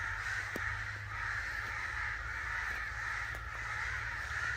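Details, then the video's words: Angry crow chorus: continuous coarse cawing from many birds, broken by a few brief clicks, over a steady low rumble. "Angry Crow Sounds"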